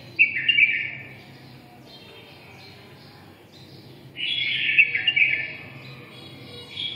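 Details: Bulbul song, red-whiskered ('mí đỏ'), in the 'siêu ché' style: a quick chirping warble at the start, a long quiet gap, then a fuller rolling phrase around four to five seconds and another beginning at the close.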